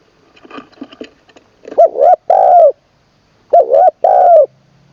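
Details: Spotted dove trained as a decoy bird in Isan, Thailand, singing 'khan long kuk' with a full middle voice: after faint rustling, two identical phrases about two seconds apart, each with two short coos and a long falling coo.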